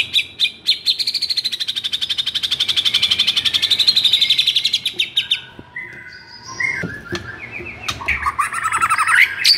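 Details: Fired-up white-rumped shama, song meant to prompt mute shamas into singing, delivering a sustained fast pulsing trill for several seconds before switching to separate flat whistles and a closing burst of rapid notes.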